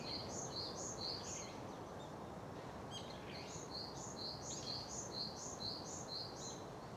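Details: A Brown-eared bulbul in a park in Tokyo, Japan, on 28 March 2015, gives high, sharp chirps in quick paired runs, about two notes a second, in two bursts over a steady rushing background noise.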